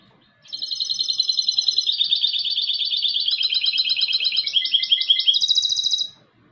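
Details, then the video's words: A European goldfinch hybrid delivers a long, fast trilled song of about five seconds. The high rattling notes step gradually lower, then jump back up at the end, against quiet surroundings. "UN RATITO DE CANTO DE MIXTO DEL JILGUERO ** تغريد هجين الحسون"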